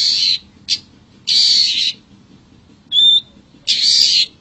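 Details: Wild Long-tailed shrike calling: long, rough, scratchy rasps alternate with a brief harsh burst and a single short clear whistle, with pauses between them.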